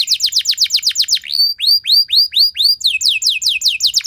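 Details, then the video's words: Loud canary song used to draw other canaries into singing: quick descending notes repeated rapidly, then slower rising-falling whistled arcs about three per second, ending with another fast series of sweeping notes. "Langsung Respon Burung Kenari Kondisi Apa Saja Dengan Pancingan Kenari Nembak Panjang Keras Ini"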